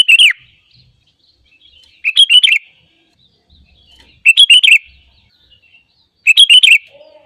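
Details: Sooty-headed bulbul song used to lure birds and trigger them to sing: short bright chattering phrases of four or five quick notes, repeated about every two seconds, with near silence between.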